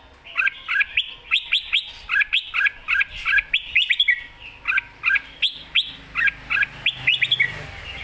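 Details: Red-whiskered bulbul singing a lively 'mae bot' master-pattern song: bright, bubbling whistled phrases of quick rising and falling notes, given in rapid clusters with short gaps throughout, over a faint background hiss.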